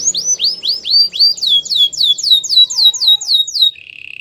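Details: Canary singing for training other canaries: a steady run of about a dozen loud downslurred whistled notes, evenly spaced, ending in a soft low buzzy trill.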